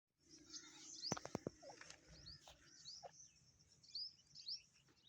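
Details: Grey francolin (teetar) chick giving thin, high, rising peeps in quick, uneven series throughout, with a short burst of sharp clicks and knocks early on and a faint low rumble beneath.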